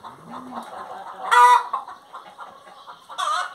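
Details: Singing hen gives a loud, strained, nasal squawk near the middle, then a shorter harsh call at the end, set against a low stream of soft clucks and a brief low drawn-out note at the start.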